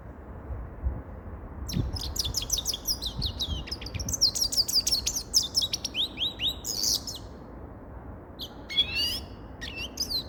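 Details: Grey-crowned goldfinch pouring out a long, fast twittering song of high chirps, buzzy trills and slurred whistles, followed after a pause by a few brief rising phrases.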